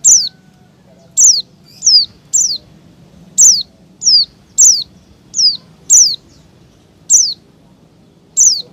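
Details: Lure for wild white-eyes and small birds: a steady series of sharp descending whistled calls, about every half to one second, some paired, over faint low background noise.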